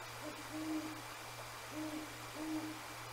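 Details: Great Horned Owls, a pair answering each other near an eagle nest around 10 p.m. in January, not seen; three muffled low hoots spaced about a second apart beneath constant background hiss and hum.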